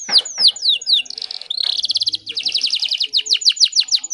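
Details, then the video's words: Breeding-condition female canary luring a male, played to get canaries singing: a few sharp downslurs, a smooth whistled note, then a rapid rolling trill and quicker repeated chirps. "PANCINGAN KENARI BAHAN AGAR CEPAT GACORR"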